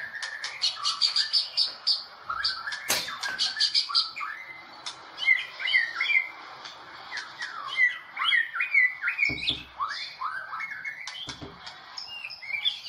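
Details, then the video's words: White-rumped shama, Medan-type national champion competition bird from the 2018 President Cup, giving a long busy song of harsh squawky notes, quick rising whistles and chattering bursts, with sharp clicks and knocks in the background. "Murai medan full tembakan cililin juara nasional ivent presiden cup 2018"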